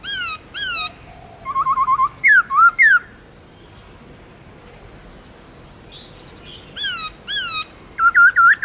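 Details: A black-throated laughingthrush (Garrulax chinensis), a kept singing bird, gives forest-voice long slurred song. Harsh buzzy notes alternate with quick trills and swooping whistles, split into two bursts by a quiet pause of several seconds.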